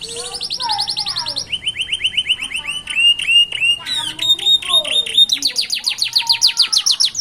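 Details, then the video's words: Young canaries daring to sing at the roadside: quick high trills, steady whistled notes repeated in series, a brief lower warbling, then rapid rising chirps. "صوت فراخ الكناري يغني بإيقاع فريد من نوعه ، يبدأ في الجرأة على الغناء على جانب الطريق"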